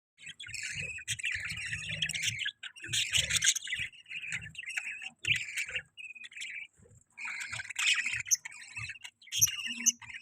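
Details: Budgerigar chirping: bright, scratchy warbles and short chirps in irregular bursts with brief pauses, plus soft low tapping or shuffling sounds.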